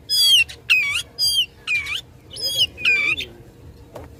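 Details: Fighting-mood song of a caged Oriental magpie-robin meant to provoke opponents: six loud, ringing phrases of sweeping whistles spaced about half a second apart, then a quieter pause with faint background noise.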